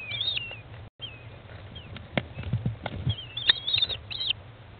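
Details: Day-15 American kestrel chicks being fed by their mother in a nest box, 20 May 2011 at 13:54; high wavering whines at the start and a brighter cluster near the end, with knocks and shuffling between.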